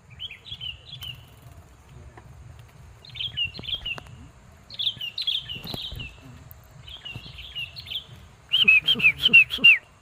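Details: Sooty-headed bulbul singing in a rice field, not tethered; short bubbly whistled phrases repeated about every one and a half seconds, ending in a louder, fuller burst of rolling notes, over a low steady background rumble.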